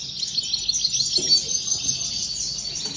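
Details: Multiple European goldfinches keep up a steady, bright, high-pitched twittering chorus of rapid tinkling notes, with one brief low thump.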